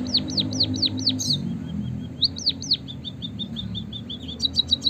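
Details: White-headed munia (Lonchura maja) chirping: high, thin chirps that slur downward in quick runs of about five, over a low steady rumble.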